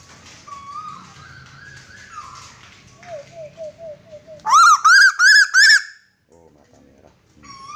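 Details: Red-eyed kuwu bird from Lombok, described as rare, calling loudly indoors: soft squeaky whistled notes first, then four loud, ringing, arched notes in quick succession, followed by brief faint squeaks.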